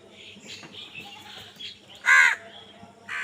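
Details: A single loud, hoarse caw from a crow during a scuffle over food, rising out of quiet background twittering, with a second caw starting at the very end.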